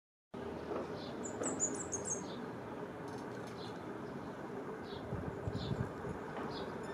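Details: Cinereous conebill in Chile, singing on an electric wire before flying off, gives thin, very high twittering notes, a quick run of squeaky phrases, then scattered chips, over low traffic rumble; sparrows, chincol and doves also present.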